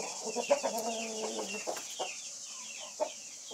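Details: Flock of White-faced Black Spanish chickens giving a drawn-out, harmonic clucking call early on, followed by short, sharp clucks spaced irregularly, with fainter chirps from other birds behind.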